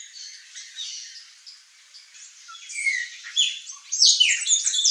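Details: Palm tanager producing soft scratchy notes that swell into a loud, harsh, squeaky twitter toward the end, with some short rising whistles mixed in.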